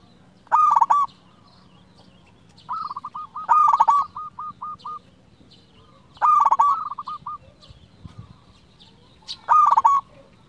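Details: Zebra dove of local stock, used as a lure to stir other doves to sing: four cooing phrases, each a burst of rapid notes trailing into a rolling series, about every three seconds.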